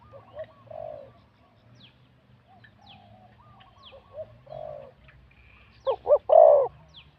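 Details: Spotted dove, a wild-born competition bird scored 87 points, with a middle-to-big voice. Faint coos from other doves sound throughout against low background hum, before one loud close phrase of two short notes and a long coo near the end.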